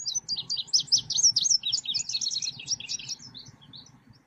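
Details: Selendang biru songbird singing as a trapping lure, a long, rapid, high-pitched twittering run of varied chirps and trills lasting about three seconds that tapers off into a few scattered notes, with low background hum.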